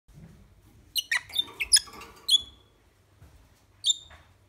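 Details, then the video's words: Pet red-rumped parrot in Poland gives a quick burst of sharp, high chirps and squeaky notes, then one more squeak after a short pause, in a quiet room. "Red-rumped parrot sounds"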